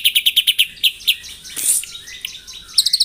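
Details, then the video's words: White-rumped shama in the morning, singing to provoke rivals; evenly spaced ringing high notes, a brief hissing burst midway, then a fast trill of chirps. "PAGI HARI! 100% AMPUH MENAIKAN EMOSI LAWAN AGAR GACOR & BONGKAR ISIAN ( TEMBAKAN MURAI BATU )"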